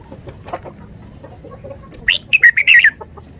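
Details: Red-whiskered bulbul giving a brief, bright phrase of five or six quick warbled whistles, slurring up and down, over faint low background noise and a few soft distant chirps.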